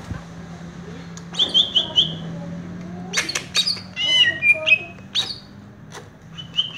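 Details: Greater green leafbird (cucak ijo) singing in the "raja tembak" style: varied bright whistles, quick trilled runs and chattering notes in short bursts, with a steady low hum behind.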